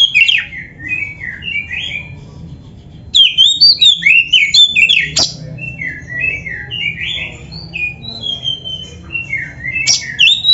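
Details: Kacer, the white-rumped shama, in energetic song meant to stimulate other birds: rapid chains of whistled, chattering notes, louder bursts at about three and ten seconds, low steady hum beneath.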